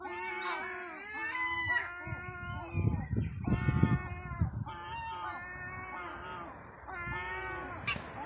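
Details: A Herring gull chick about 2 to 4 months old, possibly female, begs insistently for food, giving wailing, slightly downslurred whistles about once a second, with some wind or handling noise in the middle.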